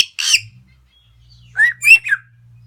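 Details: A pet parrot kept indoors, chatting away: a short harsh squawk, then after a pause a quick run of three bright, rising chirps.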